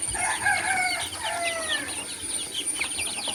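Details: Baby chicken chicks playing outside; many overlapping high peeping chirps, short rising and falling notes packed densely together, with a steady high whine running through the background.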